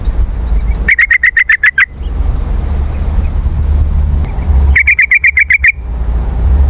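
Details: Yellow-vented bulbul calls meant to attract wild birds: two bursts of about eight quick, bright chattering notes each, several seconds apart, with a steady low rumble underneath.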